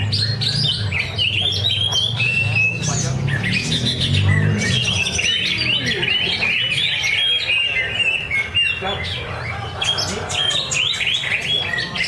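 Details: Cucak ijo (greater green leafbird) singing during a Thursday latber contest in Cikunir. A long, busy medley of quick chips, squeaky slurs and brief whistles that rarely pauses, with continuous low-pitched background noise.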